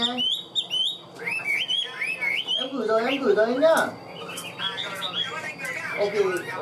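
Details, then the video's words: Caged Hwamei sings ringing whistled phrases and quick trills, while a man's voice talks over the middle of the song. "Họa mi vip đuôi lá vả cứng, hót cực tốt đấu tốt"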